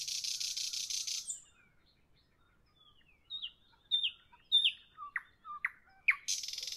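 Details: Evening nightingale song: a buzzy rattle, a quiet gap, then scattered slurred and whistled notes, some sweeping sharply down, before a second buzzing rattle starts at the end.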